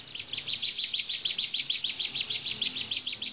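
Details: Bar-winged prinia in tembakan burst song, meant as training material for caged white-eyes. Sharp, high, slightly buzzy chips repeat steadily about six times a second throughout, over faint low background noise.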